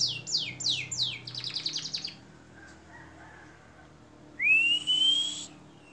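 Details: A canary in a long-duration masteran recording for songbird training sings a fast run of descending notes that melts into a rapid trill, falls quiet, then gives a long smooth rising whistle.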